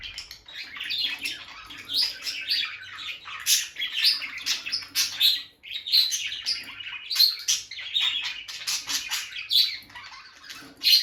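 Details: A bonded pair of peach-faced lovebirds, male and female, chirp continuously around their nest box: a dense stream of sharp, high squeaky tweets and short shrill notes overlapping from both birds, with no pause.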